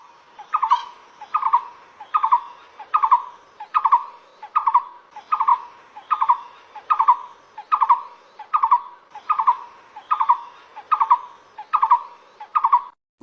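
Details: Blue-throated Barbet calling in a quiet forest: loud, throaty rolled notes in a steady rhythm, about one phrase every second, low-pitched and repeated without pause.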